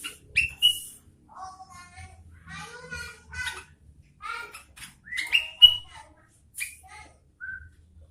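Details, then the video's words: Sooty-headed bulbul giving a busy, varied song of bright whistles, chattering bursts and sharp rising notes in uneven phrases separated by brief pauses. "Suara Burung Kutilang Gacor Garuda"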